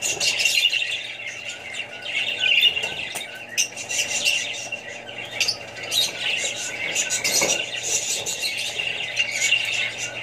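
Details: Group of Australian budgies with other birds and babies chattering: rapid squeaky chirps and buzzy warbles rise and fall in waves, with brief quieter gaps and a constant background hum.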